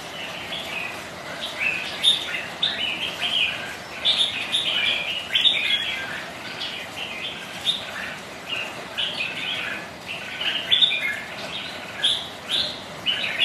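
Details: Caged red-whiskered bulbuls sparring with one another in rain and wind, pouring out dense, cheerful chirped and warbled phrases almost without pause, several birds answering each other over constant rain hiss.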